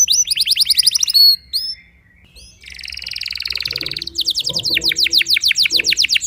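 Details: Timbrado canary in early morning song training, delivering rapid repeated downslurred whistles, a brief pause, a soft buzzy rolling trill, then loud rhythmic series of sweeping notes repeated several times per second.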